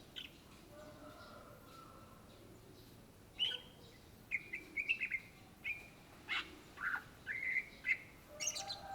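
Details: Greater green leafbird, or cucak ijo, a bird native to Indonesia, singing energetically: a faint soft tone opens the clip, then after three seconds lively bursts of clear whistled notes and sharp chips follow in quick, uneven succession.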